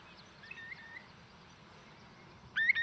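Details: Eurasian curlew giving subtle little contact calls, soft short whistles, faint at first, then a brighter rising note, over a low wind-like hiss, in a windy, marshy Scottish breeding area in 2021.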